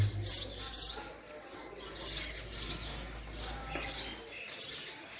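A male house sparrow gives bright, high chirps, about two a second in loose clusters, over a faint low hum.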